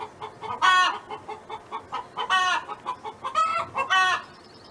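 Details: Neighbor's hen on a farm: soft quick clucks interspersed with four loud, long, harmonic squawked notes spaced under a second apart.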